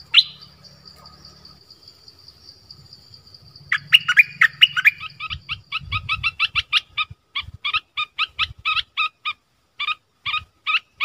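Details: Forest recording from 13 January 2021 of a decoy dok taeng bird calling for a mate. After an opening chirp and a quiet spell, bright chirps start in a dense cluster and then continue in a steady series of short notes.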